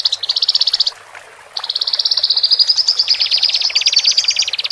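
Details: Horsfield's bush larks, male and female, singing to ease a caged newcomer separated from its flock: a quick trill, a brief gap, then a long rolling trill that drops lower and rattles on.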